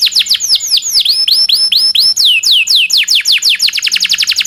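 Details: A domestic canary sings a long roll used as training and prompting song for other canaries. Drawn-out swooping whistles with a thin high overtone give way to a quick trill of clipped falling notes.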